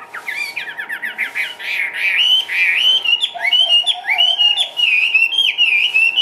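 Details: Caged Chinese hwamei, a lively dancing bird, opens with a quick descending stutter of notes, then sings loud, bright rolling whistles repeated in varied phrases throughout.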